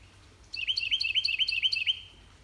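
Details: Male Carolina wren singing to his mate on a spring morning in a garden by the woods: a loud, clear run of about seven quick, rolling, repeated whistled phrases lasting under two seconds, with nothing else audible.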